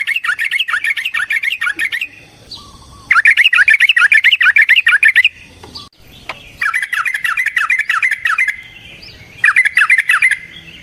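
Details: Yellow-vented bulbul delivering a long provoking fight song: dense, rapid bubbling warbles in bursts of about two seconds, separated by short silences, repeated four times.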